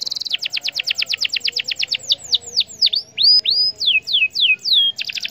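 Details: Canary singing to provoke other canaries into song: a rapid high trill of short notes gives way to slower, widely spaced downslurred whistles, then a closing burst of fast trilling.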